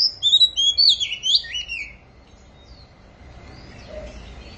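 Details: Oriental magpie-robin beginning its singing season, delivering a fast burst of bright, twisting whistles and slurred high notes for under two seconds, then falling silent, leaving faint low rumbling in the background.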